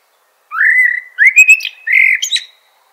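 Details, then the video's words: Song of a common blackbird: a mellow fluted phrase held steady, then a run of clear rising notes and a final high, scratchy twitter, all in a quiet setting. "Natural Birds Voice, Bird Natural Sound.Common Blackbird"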